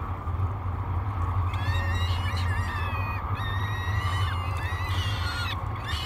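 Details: Hungry peregrine falcon chicks, three in the nest at Great Spirit Bluff, beg at breakfast on 24 May 2022, picked up by a live nest camera: harmonic wailing calls in bursts over a steady low hum.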